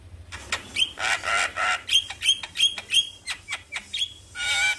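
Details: Black-winged starling in the morning, a lure recording meant to stir a quiet bird into singing: harsh noisy bursts mixed with short clear whistles, repeated in a fast uneven series, ending in a longer buzzy note.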